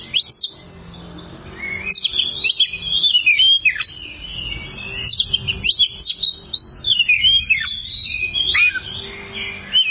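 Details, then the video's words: Oriental magpie-robin song from a long tutor recording for caged birds. Loud sweeping whistles and sharp falling notes come in phrases about a second apart, mixed with chattering runs over a faint hum. "masteran burung Kacer durasi panjang"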